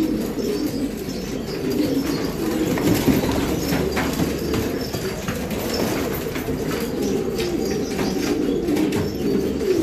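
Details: Many Filo pigeons give a steady low cooing chorus. Scattered clicks and wing or foot noises run through the recording.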